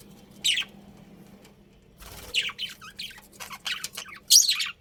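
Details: Budgerigars kept as pets give scratchy, high chirps, starting with a single loud call, then a busier run of rapid chattering notes ending in a strong harsh squawk, over a faint low hum.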